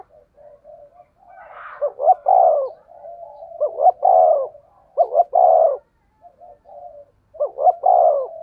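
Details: Spotted dove in the 'thunder voice' style, used to lure and stir up other doves. Soft low coos open, then loud mellow phrases of a quick double coo and a longer throaty coo, repeated about every two seconds in a quiet setting.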